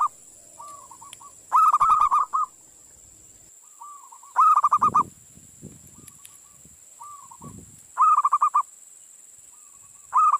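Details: Local zebra dove tutor song for prompting other doves to sing: four loud rapid-pulsed cooing phrases about every three seconds, with softer phrases between them and a steady high whine.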